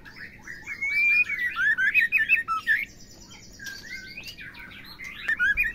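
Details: Oriental magpie-robin, female, used to stimulate caged males to sing: rich whistled phrases with slurred rising notes and scratchy chattering around a fast varied run, loud bursts separated by a quieter patch of high buzzy notes.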